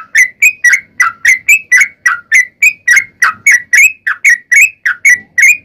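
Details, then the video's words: Lure recording of a sooty-headed bulbul, or trucukan, in energetic 'tarung' song to make other bulbuls respond; fast run of sharp bubbling whistled notes, many slurring upward, with little pause between. "KICAU SUARA trucukan gacor TARUNG ROPEL PANJANG ampuh MENJADIKAN burung trucuk gacor NYAUT SEKETIKA"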